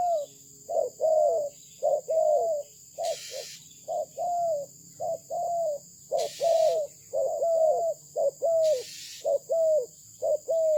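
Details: Malaysian-bred spotted dove cooing steadily: short soft hoots paired with longer drawn coos, repeated about once a second, with three brief bursts of loud rushing noise breaking in.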